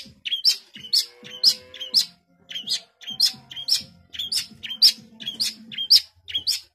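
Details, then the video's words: Long-tailed shrike singing in full, close-packed phrases: repeated pairs of sharp high chirps with short whistled notes between, in steady groups with brief gaps. "Cendet GACOR full tembakan rapat"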